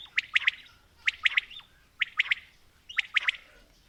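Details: Quail, from mixed female and male calling: four quick three-note phrases of sharp, bright notes, evenly spaced about one second apart against a faint, steady background hiss.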